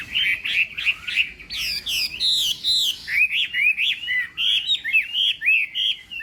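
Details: Chinese hwamei singing in a song contest during morning voice practice: a rapid, varied run of loud whistled phrases, slurred up and down, with a few harsh buzzy notes, delivered in quick bursts with brief gaps.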